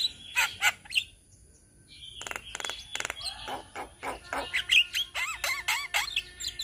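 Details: Indonesian Javan mynas singing as a group for training cage birds: grating rasps and stuttered buzzes, then a run of rising and falling whistled slurs toward the end.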